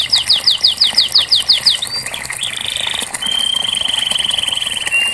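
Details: Canary, training song for silent canaries: a run of sharp falling whistles about three per second, then a brief buzzy trill and a long smooth high rattle trailing off, with faint hiss behind.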